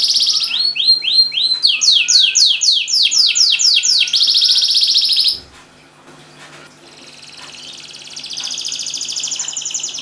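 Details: A canary in full, lively song, used to prompt quiet canaries to start singing: rapid downward-swooping notes, then a dense buzzy trill, a brief near-silent pause, and a softer trill resuming.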